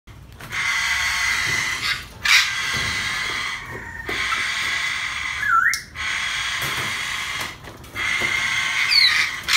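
A double yellow-headed amazon gives loud, harsh, drawn-out screeches, several in a row with brief breaks, plus a short whistled upward note.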